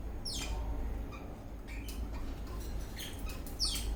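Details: Happy eastern rosella parrot dancing while whistling and chirping: a high falling whistled sweep opens and closes the passage, with scattered short chirps between, over a constant low background hum.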